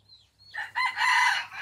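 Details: Pradu-coloured decoy rooster, a Thai jungle-fowl type from Roi Et, crowing: a short thin note, then a loud harsh, hoarse crow rising and held for about a second.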